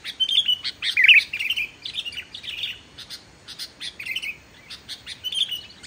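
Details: Sooty-headed bulbul singing, used to lure other bulbuls into song; a loud burst of chirps and warbled notes at the start, then softer scattered chirps repeated irregularly.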